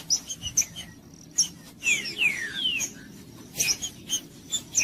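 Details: Trinca-ferro, the green-winged saltator, singing, with the song used to warm up a cold bird: a few clear descending whistled slurs near the middle, surrounded by sharp high chips and clicks, against a faint low background hum.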